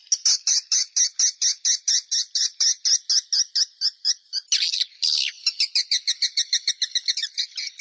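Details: Swiftlet calls as a steady series of short, high chirps, about two per second, interrupted midway by a louder harsh burst before the chirping resumes slightly faster.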